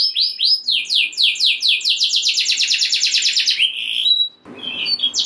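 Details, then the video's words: Canary singing to rouse other canaries, with arching whistles leading into a fast run of downswept notes, a drawn-out whistle, a brief noisy gap, then soft high notes. "Kenari Gacor Ngeroll Nembak Joss! Buat Naikin Emosi Kenari Lain Biar Gacor Ngedur Ngerek"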